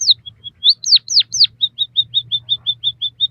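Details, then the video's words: White-headed munia singing for a training recording for captive birds: several high downslurred notes and a few thin flat tones, then a steady run of about eleven short even chips at a regular pace. "suara burung emprit kaji gacor masteran burung pipit bondol haji"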